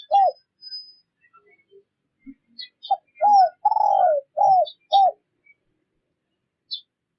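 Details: Spotted dove decoy calling at a fast, intense pace, used to lure wild doves for trapping: short, hollow, arched coos repeated in quick bursts, with one longer drawn-out coo midway, and faint high chirps in the background.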